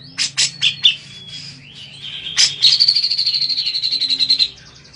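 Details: Bathed grey-cheeked bulbul singing to provoke replies from others of its kind: a few loud chirps, a short whistle, then a long even rattling trill of about two seconds.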